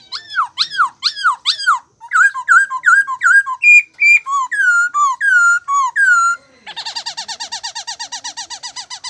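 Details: Bird calling with rich, harmonic whistles: a quick series of arched notes, then slurred and higher drawn-out whistles, ending in a long, rapid rattling trill of about three seconds. No other sounds are heard.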